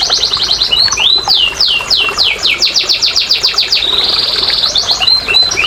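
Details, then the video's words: Canary song to stimulate quiet canaries: a run of bright, rapidly repeated downward-sweeping whistles, then a sustained buzzy tone, then further quick slurred notes, all high-pitched and continuous. "PANCINGAN BURUNG KENARI MALAS BUNYI"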